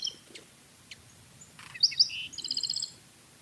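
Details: A Black-throated Sparrow in southeastern Arizona's Madrean Sky Islands sings a few thin high notes, two bright clinking notes, then a quick, fine metallic trill, over faint background hiss.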